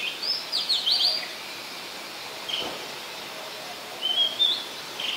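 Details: Oriental magpie-robin in song at Ubon Ratchathani, Thailand, December 2020: a fast cluster of high chirps opens, followed by spaced short whistled notes and a brief warble near the end, over low steady noise.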